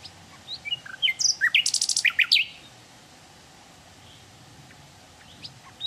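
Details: Wild hill blue flycatcher song: scattered high sliding notes build into a short burst of very rapid, high, buzzy repeated notes. A quiet stretch with faint distant chirps follows.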